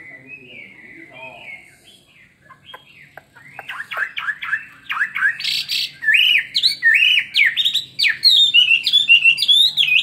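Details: Caged two-year-old-captive Chinese hwamei in fighting song with a spread display: quiet scratchy notes at first, then building into loud, rapid, wavering whistled phrases, with each note swooping up and down.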